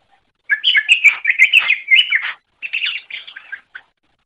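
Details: Greater green leafbird singing for training other songbirds: a long rapid stream of chattering, warbled notes, briefly pausing before a shorter, softer burst and one final note.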